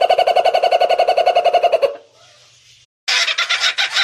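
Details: Kookaburra giving a run of evenly spaced, rhythmic hoarse notes for about two seconds. A near-silent pause follows, then a harsh, raucous burst of cackling.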